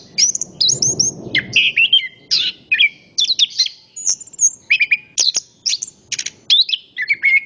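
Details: {'caption': 'Orange-headed thrush in a nonstop flow of high whistled phrases, quick chirps and slurred notes. A short low rustling noise comes early, then the song continues in clear bursts.'}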